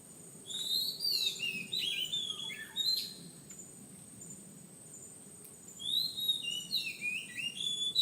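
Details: Oriental magpie-robin song: rich, varied whistled phrases, sliding and warbling high, in two bursts separated by a few seconds of quiet, with a steady high hiss underneath.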